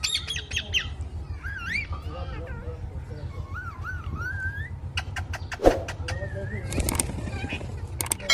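A parrot gives wavering, warbled whistles and short squawks that rise and fall, over a steady low hum with a few sharp clicks and knocks.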